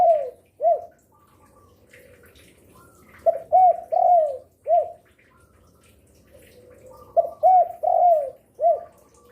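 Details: Vocal spotted dove calling, said to sing day, afternoon and night, suited as a lure for doves. The end of one coo phrase is followed by two full phrases about four seconds apart, each with three linked coos and one separate closing coo. Faint twittering from other birds sounds in between.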